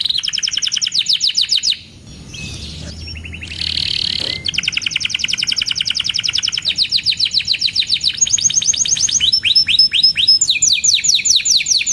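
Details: Canary song from a male in full voice, used as a lure and tutor for young canaries learning to sing: rapid trills of descending high notes repeated several per second, broken by a brief pause, a buzzy rattle and a steady whistled roll.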